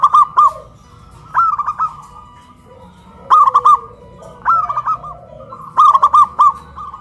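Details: Local zebra doves from Kuningan, West Java, kept in cages raised high on a pole, calling in a duet of big and crystal voices; five loud phrases, each a burring opener then quick stuttered coos, with soft low coos between.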